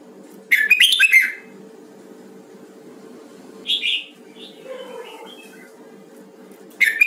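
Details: A red-whiskered bulbul of the Huë type, recorded in voice training, gives a loud chattering, warbled phrase, then a shorter bright burst a few seconds later, a soft lower note, and a final sharp chirp over a steady background hum.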